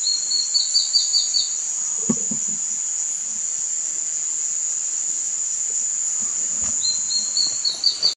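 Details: A female plain antvireo at Altos del Maria, Panama, on 10/5/2019 gives a quick run of short, slightly rising notes, twice, against a steady high insect drone and a few soft knocks.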